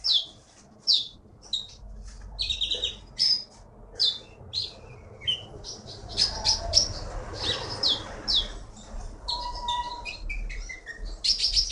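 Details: Blue-winged Leafbird taken from the Bangka forest and now a Bangka Belitung contest champion, pouring out a dense run of sharp high chirps and twittered notes over a steady low hum and background rumble.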